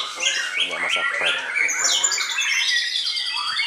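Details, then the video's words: White-rumped shama giving a loud, harsh, squawking chatter first, then flowing into sweeping, slurred high whistles and rapid trills. "MURAI BATU"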